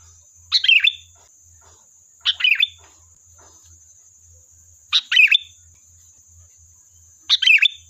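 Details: Four evenly spaced sooty-headed bulbul phrases, used as a lure to make birds respond, each a burst of clipped notes ending in a brief whistled flourish, roughly every two and a half seconds.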